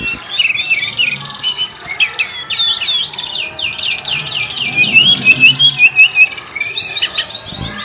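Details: Lively bird song packed with quick whistled slurs and chattering trills, running almost without pause, ending in a series of repeated sharp notes.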